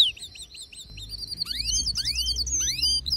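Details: A male canary's excited song, meant to make other canaries sing: thin high whistles, a rapid buzzy roll, then loud upward-arching whistled notes repeated quickly.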